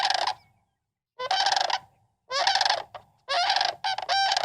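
Sandhill Crane giving loud, rolling, rattled trumpeting calls in four harsh bursts, roughly one a second, the last two running together.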